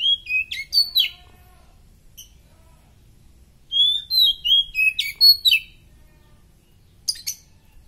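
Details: Oriental magpie-robin in top condition, bursts of rapid whistled notes and sharp chips, down-slurred phrases repeated several times a second, separated by silent pauses.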